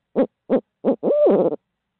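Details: Barred owl in Midtown Tulsa giving three short, evenly spaced hoots, then a longer, drawn-out note that rises, holds, and falls with a wavering, slightly raspy quality; quiet background.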